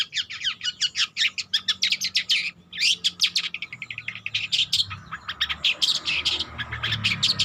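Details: Young long-tailed shrike learning its song: dense chattering chirps in quick succession, a short pause, then more rapid scratchy notes and rasping squeaks against a faint low hum.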